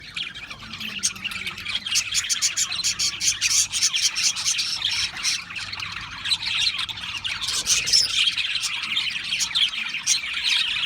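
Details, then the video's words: Australian parrots chirping together: dense, continuous chatter of scratchy squawks and rapid chirps, with many birds calling over each other and no clear pauses. "Beautiful Australian Parrots Chirping sounds"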